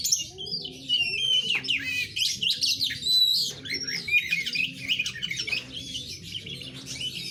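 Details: Kacer, or Oriental magpie-robin, pouring out sweet whistles, rapid trills and scratchy mimic-like notes in a steady flow, accompanied by a regular low mechanical pulsing in the background.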